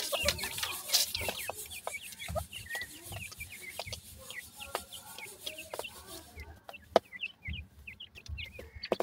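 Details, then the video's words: Grey francolin chicks at feeding time give many short high upslurred chirps, scattered and overlapping, with occasional clicks and low knocks beneath; the chirping thins toward the end. "gora teetar checks feeding,titur checks voice"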